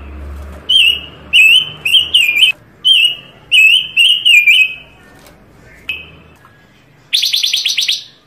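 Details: Varied Panca Warna bird song used for master tutoring and trapping lures: a series of bright, wavering whistled notes delivered in quick pairs, a pause, then a fast buzzy rattle closing the phrase.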